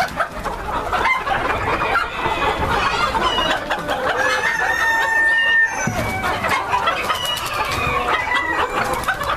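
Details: White Silkie Bantam chickens, a bearded breed, in a breeder flock: several birds clucking and cackling at once in a steady dense chorus, with occasional higher drawn-out calls over the continuous murmur.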